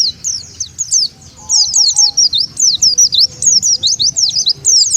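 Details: Oriental white-eye lure call to bring wild white-eyes in: lively high chirps, starting sparse and building into a steady chatter of sharp zigzag notes, with faint lower tones beneath.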